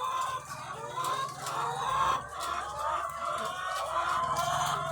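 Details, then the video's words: Thousands of laying hens on a farm, clucking and calling all at once in a thick, unbroken chorus with a few louder drawn-out notes rising above it, a low hum of machinery beneath. "The Sound of Thousands of Egg-Laying Chickens"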